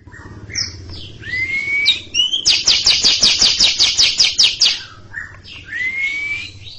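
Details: Caged greater green leafbird, long ngekek song before a stalled junior: rising whistles open into a sustained chatter of around twelve fast, buzzy repeated bursts, followed by another clear rising whistle, with a low hum underneath.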